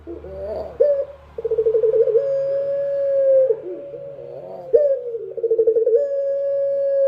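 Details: Dove cooing at night, two rolling phrases of fast pulsed notes that flow into prolonged steady low tones, with a soft background hum.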